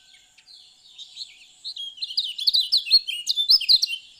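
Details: High, thin twittering from a Lombok lemon-bellied white-eye, starting quietly and swelling into a rapid, jumbled series of bright slurred whistles and chips.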